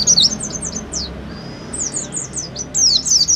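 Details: Lure recording of oriental white-eye song meant to stimulate singing: bursts of high, quick descending chirps, a faint thin drawn whistle in the middle, then a dense twittering run.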